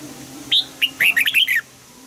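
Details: Red-whiskered bulbul singing its morning training song in the double-note, old-forest style: two separate whistled notes, then a rapid run of five or six warbling, up-and-down notes lasting about half a second.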